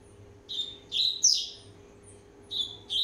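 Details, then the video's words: Year-and-a-half-old rusty-collared seedeater warming up its voice: bursts of clear whistled notes with upward flourishes, a pause, then two more short whistled phrases, steady faint hum in the background. "COLEIRO PROMETHEUS, 1 ANO E MEIO DE VIDA, ESQUENTANDO"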